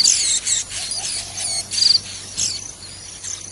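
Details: White-eyes in the wild feeding young at the nest give bursts of high, sharp chirps and falling squeaky notes in clusters separated by brief pauses, mixed with short buzzy trill pulses.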